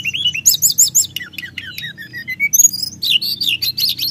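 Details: Sunda whistling thrush in rolling song to agitate other birds: quick repeated high chirps, a descending series of short whistles, then rapid busy twittering phrases.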